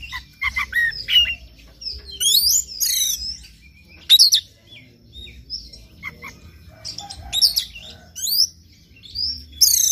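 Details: White-rumped shama morning song used to encourage another bird to sing: bursts of loud, fast high whistles and harsh chattering phrases repeated every second or two, with quieter twitters between them.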